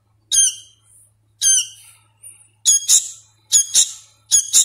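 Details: Young sooty-headed bulbul, hand-fed and still learning to call, uttering high harsh squawks, first single with soft thin whistles after, then loud doubled squawks close together.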